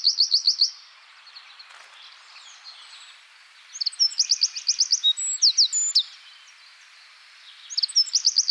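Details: Eurasian wren song: very high, fast metallic trills in short bursts separated by pauses, with faint background noise.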